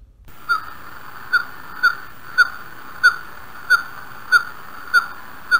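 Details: Northern Pygmy Owl of Idaho calling: a steady series of single short, mellow whistled toots, all on the same pitch, spaced a little over half a second apart, with a quiet background.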